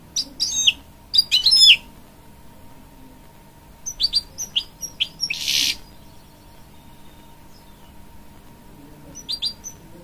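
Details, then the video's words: A canary-goldfinch hybrid sings to urge on young chicks, giving scattered bursts of sharp high chirps and slurred whistles separated by long quiet gaps. "A Hybrid Goldfinch Sings To Encourage Young Chicks"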